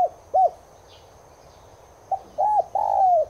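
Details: Spotted dove (tigrina) cooing, used to spur caged doves to coo: two arched notes, a pause of well over a second, then the phrase restarts with a clipped note, a rounded coo and a long gliding coo.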